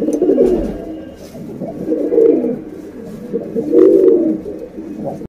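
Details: Female pigeon coos to attract a male, a lure recording: three swelling throaty coo phrases separated by softer murmuring, low and resonant throughout.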